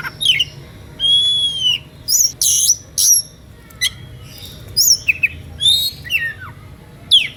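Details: Oriental magpie-robin in a heated song that spurs rival birds to sing along; a long pure whistle, then harsh bursts and quick downslurred, rising whistles in lively sequence.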